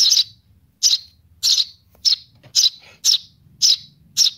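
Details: Baby sparrow calling to its mother, repeating short grating chirps about every half second over a faint low hum in the background.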